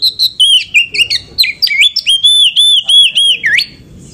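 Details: Captive female Oriental magpie-robin singing to stir up males: rapid stuttering chips leading into a run of loud, even, looping whistles that ends in a sharp downward swoop.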